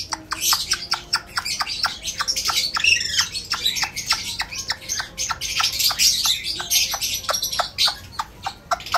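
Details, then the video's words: Pet Alexandrine parakeet, described as talking like a human, giving a fast, steady series of sharp high chirps and clicks, several per second, with a few softer whistled notes underneath. "Alex parrot talking like a human"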